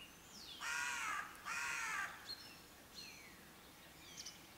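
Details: Two grating raven caws back to back, with thin sweeping whistles of other birds before and after.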